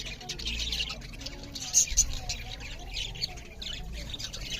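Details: Budgerigars feeding and chirping loudly: dense, high overlapping twitters with softer warbled chatter and a low rumble underneath.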